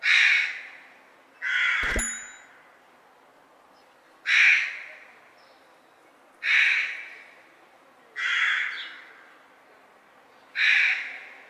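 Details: Crow cawing steadily: six loud, hoarse caws spaced about two seconds apart, each falling away, over a quiet background with one brief click.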